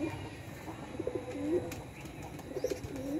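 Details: Mother pigeon feeding her chick: low, throaty cooing notes, some wavering and rising, in short phrases with brief gaps, heard in a quiet setting.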